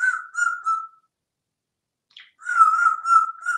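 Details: Einstein, a male African grey parrot hatched June 15, 1997, living in a home in Texas, sings a mimicked "Caw Crow" song tune: steady, mid-pitched whistled notes in two phrases, separated by a pause with a brief chirp.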